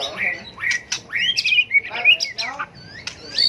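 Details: White-rumped shama in competitive fighting song for contest training: short harsh notes and clicks mixed with rising and falling whistled slurs, dense and jumbled.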